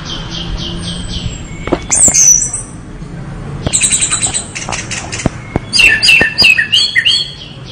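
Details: Vigorous orange-headed thrush song of high whistles, downslurs and rapid warbled notes in separate bursts, with sharp clicking sounds between phrases.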